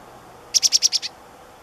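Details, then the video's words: Black-capped chickadee giving a single quick run of six buzzy, evenly spaced high notes that fade slightly at the end, in a quiet outdoor setting. "Black-capped Chickadee Calls"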